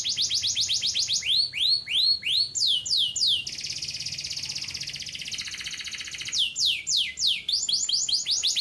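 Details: Canary in long, vigorous gacor song: rapid series of falling whistled sweeps, then a dense buzzy rolled trill lasting about three seconds, and finally more rhythmic descending notes repeated several times a second.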